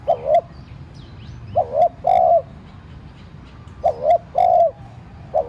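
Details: Decoy spotted dove urging wild doves to call with a light coo; repeated phrases of a brief wavering double note and a sustained mellow hoot, about every two seconds, faint chirps in the background.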